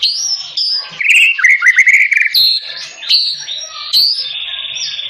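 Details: White-rumped shama in fighting mood, provoked by a rival, giving loud varied song: high whistled phrases, rapid chattering runs and sharp buzzy notes, with a steady high whistle at the end.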